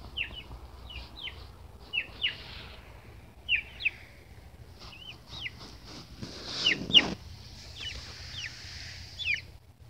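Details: Baby chicks peeping: high, thin chirps with a sharp downward slur, given singly or in quick pairs at irregular intervals, plus a brief burst of rustling scratching noise midway.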